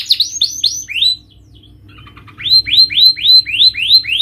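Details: Canary song used to stimulate silent birds: a few clear down-slurred whistles, a brief pause with soft notes, then a steady series of loud sweeping syllables about three per second.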